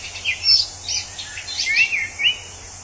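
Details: Short snatch of wild orange-headed thrush song: a few thin, sliding whistles and soft twittering notes over a steady background hiss of insects.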